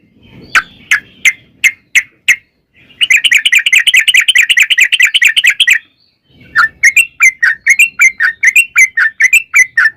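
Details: Sooty-headed bulbul in ngalas song with long ropel, played to make other birds sing: spaced sharp whistles, then a dense rapid trill lasting about three seconds, followed by quick paired whistled notes.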